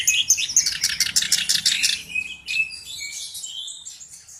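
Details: Black-browed reed warbler singing actively as a tutor bird with a distinctive voice. A burst of fast, harsh chattering notes is followed by softer, scattered high twitters and thin squeaks.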